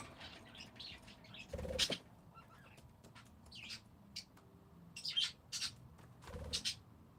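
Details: Parakeets heard in short high chirps and squeaks, with soft fluttering or rustling thumps mixed between the calls.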